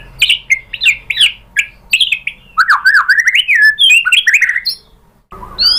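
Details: Lure recording of white-rumped shama song meant to trigger answering song in Indonesia: loud, varied whistles and slurred notes delivered rapidly, with rising and falling phrases and a sudden cut near the end.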